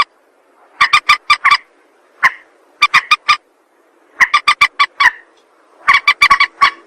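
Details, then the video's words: Lure sound of a rail for trappers and hunters: quick groups of four to six clipped, honking notes, each group spaced about a second and a half apart, with quiet between. "Suara pikat burung mandar"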